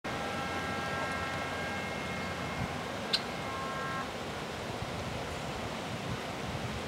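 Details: Steady engine or vehicle rumble with faint droning tones, broadband wind-like hiss and one sharp click midway, with no animal voice.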